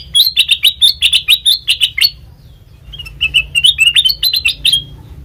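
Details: Black-crested bulbul song used as a lure for bird trapping: two bursts of rapid, bright, chirping notes repeated in quick succession, separated by a short pause, over a faint low hum.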